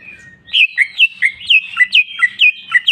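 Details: Greater green leafbird (cucak ijo) in full 'jamtrok' singing, 'bongkar isian' style: after a faint opening whistle, a lively run of loud, slurred whistled notes dropping and rising, about four per second, clear and bright.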